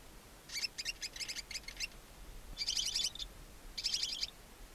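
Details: Two newly hatched barn owlets alone in a nest box on a chimney in Ságvár, Hungary, on April 23, 2024, caught by a nest camera: a run of short raspy hissing bursts, then two longer snoring hisses, over faint steady background noise.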